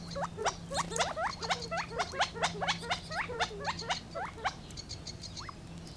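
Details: Gambel's quail producing a lively, rapid series of sharp rising chip notes, about two per second, overlapping as if from several birds, easing off toward the end, with a faint steady low tone behind.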